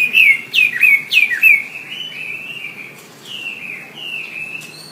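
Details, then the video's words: Wambi song meant for tutoring songbirds: several sharp down-slurred whistles in quick succession, followed by softer warbling phrases that rise and fall, all high and clear over a quiet background. "Suara WAMBI"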